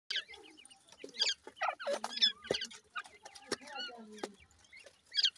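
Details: Francolin chicks of Dhakni and Irani teetar types playing and fighting, giving many short high chirps and squeaky rising-falling notes in quick bursts, mixed with sharp clicks and taps.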